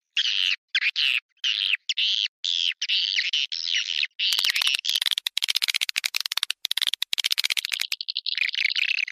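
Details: Swiftlet; call; attracting swiftlets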